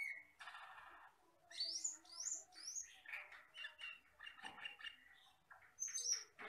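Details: Tutoring recording of the Asian glossy starling, a forest bird: a continuous jumble of gurgling, squawking and chattering notes broken by several rising squeaky whistles and ending with high sharp whistles.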